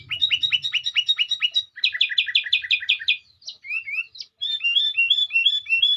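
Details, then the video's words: Sooty-headed bulbul singing: rapid repeated bright chirping notes in quick series, a brief pause, then sliding whistled phrases repeated several times, with a low rumble at the start. "Burung kutilang suara merdu"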